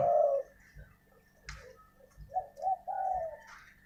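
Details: Decoy spotted dove giving one soft, low coo, then after a quiet gap a few fainter short coos, over a steady low background hum and a brief click.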